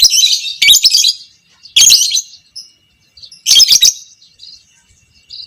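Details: Fighter lovebird, creamino variety, in long 'ngekek panjang' chatter used to encourage other lovebirds; three loud grating high-pitched bursts roughly every one and a half seconds, separated by short quiet gaps.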